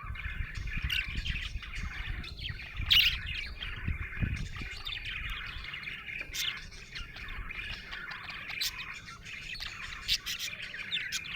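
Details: Happy budgerigar chirping: continuous chattery warble of quick squeaks and twitters, with short sharp clicks, over a steady low rumble and thumps near the start.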